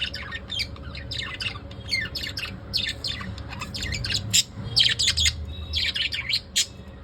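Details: Shrill, rapid chirping from pet lovebirds at evening, clustered bursts of high squeaky notes growing busier toward the end, low hum underneath.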